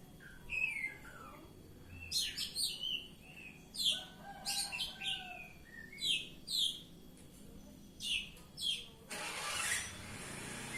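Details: Oriental magpie-robin (kacer) delivering ngeplong-style song: a series of short, loud, high chattering phrases repeated roughly every second, with brief whistles in between, ending in a wash of broadband hiss.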